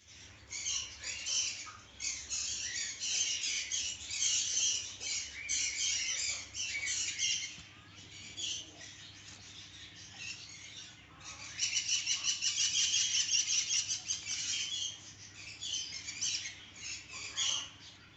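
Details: Adult pair of fallow to Holland split rainbow budgerigars keeping up a busy, scratchy chatter of chirps and squawks, with bursts that grow louder and denser.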